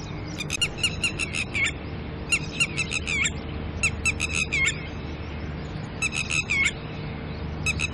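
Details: Persistent alarm calling by a red-wattled lapwing pair disturbed by a person while caring for chicks early in the morning: loud, strident, rapidly repeated notes in runs of five to eight, each run ending in a slurred note.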